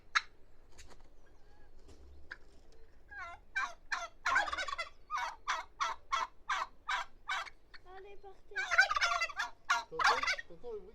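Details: Turkey calling: a few scattered notes, then a long rapid run of harsh, rattling pulses, a brief pause, and a final dense burst of throaty gobbling.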